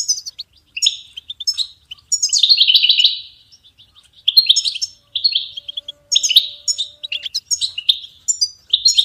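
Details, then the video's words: Goldfinch song for training cage songbirds: quick bursts of sharp, tinkling twitters and buzzy trills with short pauses between them, and a faint steady hum partway through. "Goldfinch ringtones for hunting and high motivation"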